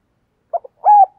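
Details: Decoy spotted dove calling wild doves: two quick soft notes followed by one sustained mellow coo.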